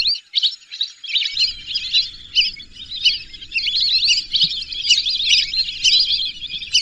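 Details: Several lesser whistling ducks call together, a busy stream of thin, twittering whistles packed closely with no real pauses, over a faint low rumble.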